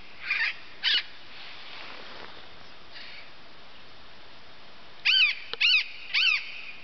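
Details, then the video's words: Critically endangered Yellow-eared Parrot, perched in Colombia's Andes in Nov/Dec 2009, gives harsh, nasal squawks in short bursts, two early and three close together near the end, over a faint rushing background. "Yellow-eared Parrot"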